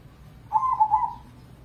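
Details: One zebra dove coo from a crossing-bred Indonesian perkutut contest bird, used as a lure to trigger other doves. A single soft, rolling phrase of three pulsing notes runs about three-quarters of a second.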